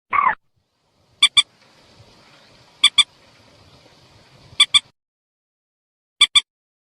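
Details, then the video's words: White-breasted waterhen luring call: paired sharp clicking notes repeated about every one and a half seconds, opening with a brief harsh croak and faint noise between. "suara burung mandar sawah/peelong/mandar batu"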